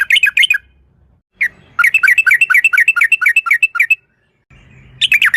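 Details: Lively bubbling chatter from a yellow-vented bulbul, a brief burst followed by a two-second run of uneven, jumping notes and another short burst, with a soft low hum between phrases, in a 'ropel' calling lure.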